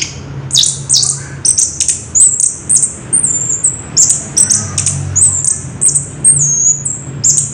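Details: Orange-headed thrush, caged, recorded on 3 March 2016, singing a wild rolling song of very high thin whistled notes, each short phrase sliding downward, repeated rapidly with a low hum behind.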